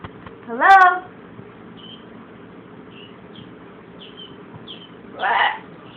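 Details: A blue-and-gold macaw imitates a human cough with a harsh, rasping sound while it has a cold, preceded by a brief rising harmonic squawk and a few faint high chirps.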